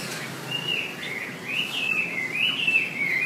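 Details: Wambi song meant for training songbirds, a thin, wavering whistled warble that rises and dips continuously over faint rural background noise.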